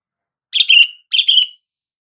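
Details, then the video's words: Calling sooty-headed bulbul, a lure meant to make silent bulbuls answer: two rapid chirruping phrases back to back, each a burst of notes trailing into a short level whistle, with no other sounds. "SUARA PANGGILAN BURUNG KUTILANG"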